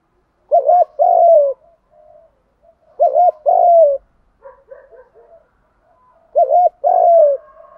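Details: Spotted dove cooing in the 'kích bổi' style for dove training, males and females: three phrases a couple of seconds apart, each a quick undulating note and then a long descending coo, with scattered faint twitters.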